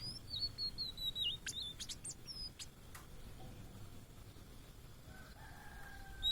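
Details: High, wavering whistles of a blue-and-white flycatcher, a migrant found in Indonesia, run together for about a second and a half before fading. A few sharp ticks and a faint lower whistle follow, with low background noise.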